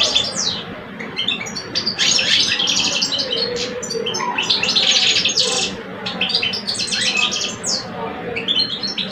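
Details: Two caged male European goldfinches in Algeria, one older and one two years old, face off in a singing duel. Dense, rapid twittering with buzzy bursts and sliding whistled notes fills the clip almost without pause, over a low background hum.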